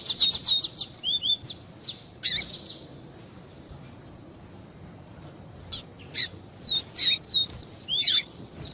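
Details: Viviti-type song of a double-collared seedeater, with female calls: quick runs of short high whistles and sharp chips, a buzzy burst, then several seconds of quiet before the bright whistled phrases start again.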